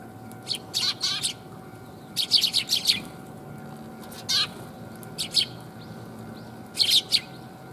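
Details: Several sparrows coming to get food, recorded 5 December 2021: bursts of rapid, high chirping and twittering notes, some in quick clusters of four or five, separated by short pauses, over a steady faint hum.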